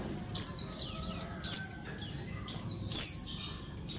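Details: Female Oriental white-eye calling to males gives harsh, buzzy, high downward-sliding notes, about twice a second in a busy, insistent series, used to provoke males into calling.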